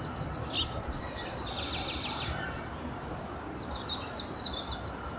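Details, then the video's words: An Anna's hummingbird sings a thin, high, scratchy song of buzzy squeaks and chips, over a steady low background hum. "Anna's Hummingbird Singing"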